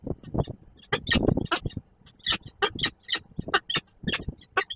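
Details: Peregrine falcon, an adult with its young at the nest in Koszalin on 10 March 2022: harsh, grating bursts with ringing high overtones, loosely repeated, mixed with low knocks and scuffing sounds.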